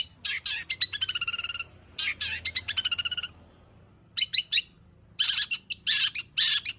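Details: Long-tailed shrike in lively song full of fill-in material, used to draw other shrikes into song. Rattling series of fast, repeated whistled notes sounds twice, followed by sharp chips and then loud, harsh, buzzy notes.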